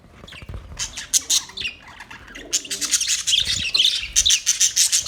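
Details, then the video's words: Budgies chirping, sparse at first and then building into a lively run of high, rapid squeaky notes and chatter toward the end. "Budgies chirping sound"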